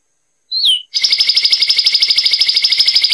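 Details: Zapata wren from Cuba giving one slurred falling whistle, followed at once by a steady, fast, buzzy trill of regularly repeated notes lasting over two seconds.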